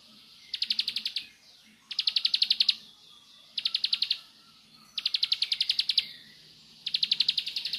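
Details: Bar-winged prinia singing nembak style: five quick bursts of shrill, rapidly repeated chips, each under a second, spaced at regular intervals over low faint background noise.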